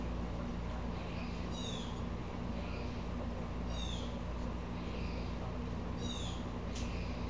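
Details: Upset Blue jay calling: three clear, raspy, falling calls spaced about two seconds apart, softer hoarse notes in between, and a steady mechanical hum throughout.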